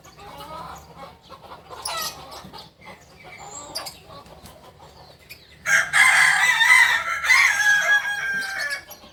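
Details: Kukuak balenggek rooster from Solok, West Sumatra: soft scattered calls from several birds, then a loud, harsh, extended crow with several stepped syllables in the second half.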